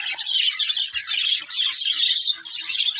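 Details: Pet budgerigars chirping in a dense, continuous chatter of high warbles and squeaky notes, with brief dips in loudness near one and a half and two and a half seconds.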